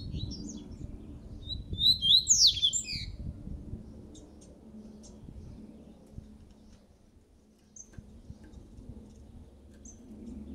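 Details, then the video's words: Moulting coleiro laranjeiro seedeater sings one brief burst of sharp, high, downslurred whistles and twitters, followed by near silence with a few faint ticks, against low indoor background noise. "COLEIRO LARANJEIRO PROTETOR SAINDO DE MUDA"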